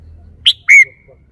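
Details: Red-whiskered bulbul, a cage bird, showing off its song phrasing: a short high whistled note, then a longer loud slurred whistle that falls and trails away.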